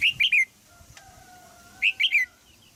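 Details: In a cage in Thailand, a female red-whiskered bulbul calls to stimulate a young male's singing: a quick three-note chirping phrase, repeated once after about two seconds, with a faint steady hum in the pause.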